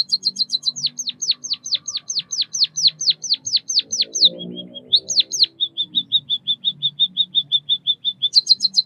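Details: White-headed munia in full song: quick ticks, then a long even chain of some fifteen downward-swooping chirps, a few sweeps, and a steady row of small flat notes before fresh ticking; faint low murmur underneath.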